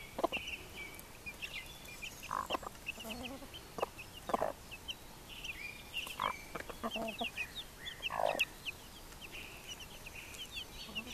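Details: Hens with chicks: short clucks and brief harmonic calls scattered across the recording, mixed with many high, thin chick peeps repeated rapidly throughout, over a steady background hiss.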